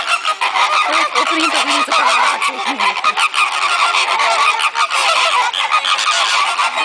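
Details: A crowd of flamingos kept at Sarasota Jungle Gardens goes wild, producing a continuous wall of harsh, honking chatter; a few deeper, wavering nasal notes stand out near the start amid the packed chorus.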